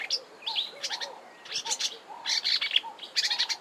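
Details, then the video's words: Marsh warbler singing at Kap River Nature Reserve, Eastern Cape, South Africa, in March 2020: a fast rambling warble of high chattering, buzzy bursts with repeated notes and mimicry, while soft low cooing notes sound steadily beneath. "Marsh Warbler singing"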